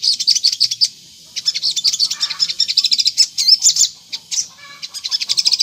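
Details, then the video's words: Lure song of a sunbird intended to make others respond: bursts of very high, fast chattering notes, a pause just before one second, then a long run of squeaky twittering with short whistled slurs. "PANCINGAN SOGON GACOR NGLEPER || di jamin burung sogon nyaut"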